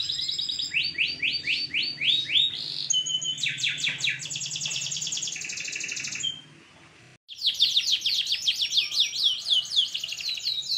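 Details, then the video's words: Canary song used as a master recording to make other canaries sing: fast repeated sweeping trills and buzzy rattles, changing phrase types every few seconds, with a brief pause near the middle. "Masteran kenari top dor. kenari mana yang diam mendengar kenari gacor ini"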